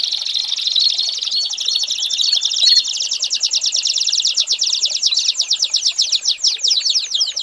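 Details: American Singer canary tutor song for young birds: a high, buzzy, rolling trill that turns into slower, distinct pulsed notes in the second half, sung without pause.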